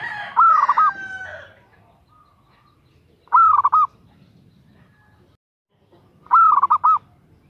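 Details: Three calls about three seconds apart from a female zebra dove calling to a male, each a held note breaking into fast short pulses. A brief louder mixed noise overlaps the first.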